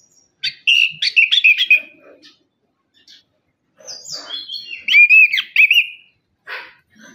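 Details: Orange-headed thrush singing vigorously as a lure for reluctant birds: a loud rapid warbled phrase, a pause, then a rising high run into loud swooping whistles and a short scratchy note.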